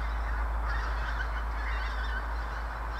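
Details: A flock of pink-footed geese (Anser brachyrhynchus) just outside Dundee, near Clatto Reservoir, gives dense, overlapping honking and yelping calls, several per second, over a low rumble of wind.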